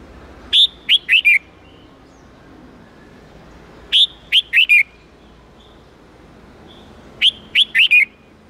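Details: Red-whiskered bulbul, wild-standard 8-9-10 note song for teaching young birds: three identical phrases of four quick, sharp, descending whistled notes, repeated about every three and a half seconds with silence between.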